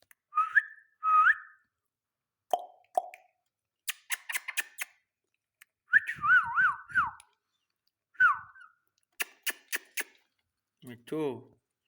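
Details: Indian ringneck parakeet kept as a talking pet: short rising whistles, sharp clicks and snaps, a longer quavering trilled whistle and a falling whistle, ending with a low rough burble, all in a quiet indoor setting.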